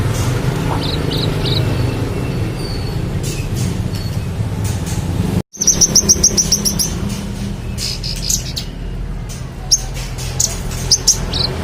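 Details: Magpie-robin in full song as tutor material for contest songbirds: rapid string of sharp high chirps after a brief break, then scattered quick notes, with faint earlier phrases and steady low rumbling background.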